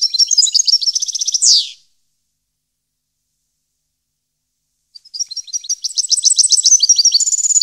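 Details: European goldfinch song recorded in 2015: rapid twittering high notes and a fast trill ending in a loud descending buzzy sweep, then three seconds of silence before another quick liquid twittering phrase starts.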